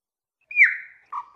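A chopi blackbird gives a clear whistled note that slides down and holds, then a short lower, throaty note, against a quiet background.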